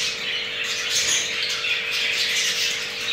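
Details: Captive jumbo crested male budgerigar mating with a hen whose pair has two eggs; dense, scratchy warbling chatter runs continuously, with a steady low electrical hum beneath.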